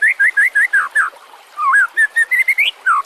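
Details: White-rumped shama singing, a master recording meant to train other songbirds: a repeated series of wavering whistles, a pause, then a looping slurred note and a climbing run of short whistles.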